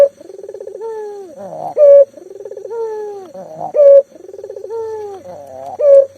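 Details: Lively local puter dove, used as a lure for silent doves: three regular rounds, each a pulsing, wavering coo flowing into a gliding downward note and a sharp loud burst.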